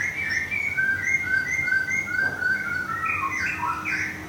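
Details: Moulting captive white-rumped shama, Thung Song, Thailand, repeats a string of clear level whistles about four per second, then breaks into a higher, looping warbled flourish near the end.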